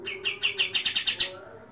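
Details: A rapid string of about eight sharp, evenly spaced notes from a white-rumped shama singing at dawn, delivered like quick shots before trailing off.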